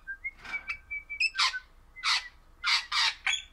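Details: Orange-coloured pet crimson rosella mixing a few clear whistled notes with loud, harsh squawking calls in quick succession, described as happy and singing.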